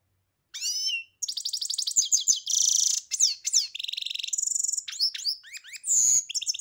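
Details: European goldfinch in full song: a fast, varied run of tinkling twitters, buzzy trills, rapid rattling notes and sliding whistles, delivered almost without a break.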